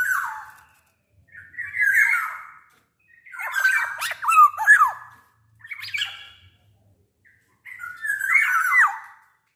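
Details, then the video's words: A big-bodied, freely singing black-naped oriole gives harsh, nasal squawks and slurred mid-pitched whistles in five bursts over about ten seconds, with short pauses; the recording is meant as a lure to stimulate other orioles to sing. "SUARA KEPODANG GACOR"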